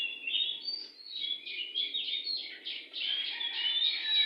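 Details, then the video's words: Wild oriental magpie-robin in full song before a house, delivering a continuous, fast run of varied sweet whistles and harsher chattering notes, phrases rising and falling in quick succession, with a faint low background hum. "burung Kacer li4r dpn rumah super gacor"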